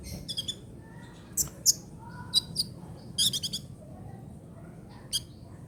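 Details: Sunbird known locally as kolibri ninja, trotol-style song kept as tutor material for cage birds: scattered sharp, high chips and short rapid trills at irregular intervals over a quiet hiss.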